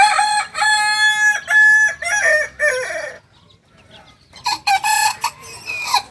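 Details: Kokok Balenggek chick aged two months, a crowing-contest breed from Tigo Lurah, Solok Regency, delivers a stepped crow of several linked syllables dropping in pitch over three seconds, followed by a pause and choppy shorter bursts.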